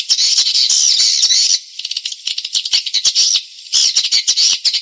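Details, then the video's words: Edible-nest swiftlet lure call played to draw swiftlets from other nesting houses into a private one to raise nest numbers; dense buzzy chirring high notes in long bursts, broken by a stretch of rapid clicks. "SUARA WALET " SUPREME " solusi untuk menarik BW untuk selingkuh dr RBW lain ke RBW pribadi"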